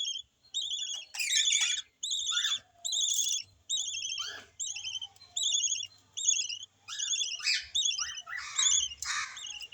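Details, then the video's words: New baby chick of yellow lovebirds; a steady run of brief, wobbling, thin high calls, roughly one per second, with a few louder harsh squawks and chirps toward the end. "yellow love birds new baby"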